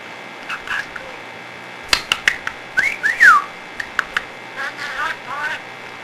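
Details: Budgerigar, described as a cheap parrot that loves to talk, giving short bright chirps and twisting whistled notes between sharp clicks, with a fast rising-then-falling warble near the middle and softer rapid chatter at the end, indoors.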